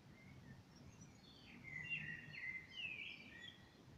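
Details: A common blackbird sings in the evening, one rich warbled phrase sliding between lower and higher notes with a thin twitter, background hum beneath.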